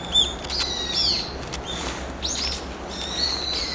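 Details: Morning calls of a brown-eared bulbul on 26 November: three shrill slurred notes, each sweeping downward from high to lower pitch, spaced roughly a second apart, with steady background hiss.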